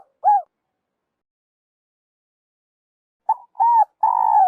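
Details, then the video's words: Spotted dove coos used as a trapping lure: one arched coo, a long silence, then a new phrase starting with a brief note, a hooted coo and a long, level, slightly falling note. Quiet background. "Tiếng chim cu gáy dành cho ae đi bẫy"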